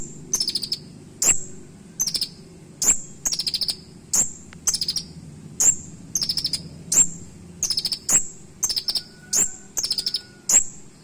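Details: Long bout of Van Hasselt's sunbird song with mimicked phrases: sharp tick-whistles alternating evenly with rapid clusters of high shrill notes, roughly every second for eleven seconds, over quiet low hum and a faint steady tone.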